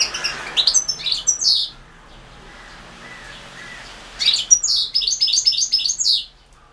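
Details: European goldfinch in a 2016 online world championship of goldfinch song. Rapid twittering bursts and sharp metallic notes, about four per second, broken by a two-second lull with a soft low rasp, then another energetic twittering phrase.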